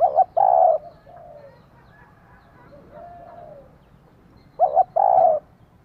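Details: Female spotted dove calling to stimulate a male: a double hoot and a long burred coo, soft faint cooing in between, then the double hoot and burred coo again near the end.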